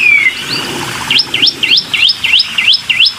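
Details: Black-winged myna in a lure recording: one long whistled downslur, then a run of seven quick hooked whistles, each dipping and rising, about three per second.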